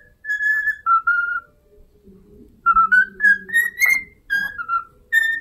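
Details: Whistled rendition of the My Neighbor Totoro tune by a pet cockatiel: a few long notes, a soft low humming gap, then a quick run of rising and falling whistled notes.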